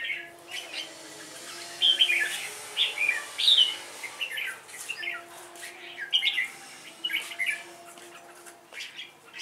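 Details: Red-whiskered bulbul singing competitively as a lure bird, delivering bright chattering phrase groups in two clusters, with a steady low hum underneath.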